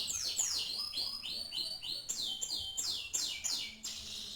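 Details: Canary song like that of a renowned champion bird: a rapid run of loud downward-swooping whistles and sharp chirps, repeated several times a second, over faint background hum.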